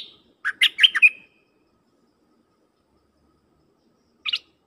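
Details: Dok taeng bird used as a decoy to call wild birds, singing a short jumbled phrase of quick chirps ending in a clear whistled note, followed after a long silence by one brief high chirp.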